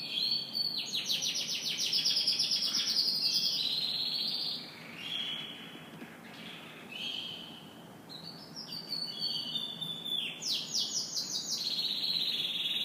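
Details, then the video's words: In the morning a canary sings loud high trills and chattering phrases, a softer stretch of whistled notes midway, then rapid pulsed rolls building again toward the end. "Canary Morning Singing"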